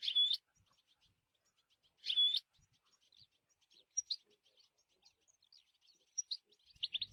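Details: European goldfinch in the wild: two loud buzzy, squeaky calls about two seconds apart, then scattered soft high chirps and a few sharp notes toward the end.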